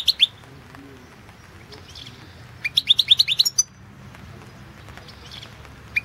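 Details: European goldfinch of the Balkan form singing for the 2016 World Championship in Goldfinch Song, an internet contest: short high twitter, a pause, then a fast run of sharp rising chirps ending in a thin trill.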